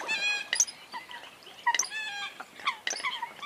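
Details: Eurasian coots giving sharp, harmonic yelps and short clipped notes, a few strong bursts separated by quieter, bending squeals over a fairly clean background.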